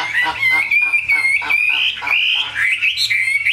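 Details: Caged Chinese hwamei singing a loud, sustained warble of slurred whistles that rise and fall, with rich overtones and quick rasping notes in between.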